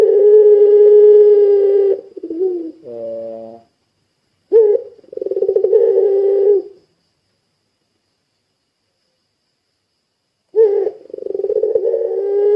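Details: Ringneck dove of the puter pelung type cooing busily as a lure for other doves: a long steady low coo, a buzzy tone, then two more rolling coos separated by long silent gaps.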